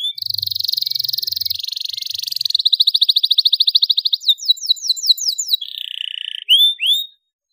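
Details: Canary song used to train young canaries to sing: a long, rapid, high rattling trill shifts into faster buzzy rolls, then a series of sharp descending whistles, ending in brief upward slurs.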